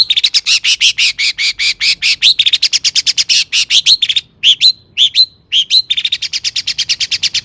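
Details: Energetic long-tailed shrike song for stimulating other shrikes to sing: a long, rapid burst of repeated notes, a brief break with a few slurred whistles, then fast repetition again.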